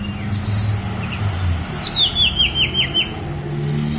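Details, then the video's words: On Gunung Songgo Langit, a Snowy-browed flycatcher delivers a descending cascade of sharp, high notes, each short and clipped, stepping down about six times, with engine rumble underneath. "KICAU TLEDEKAN GUNUNG SONGGO LANGIT"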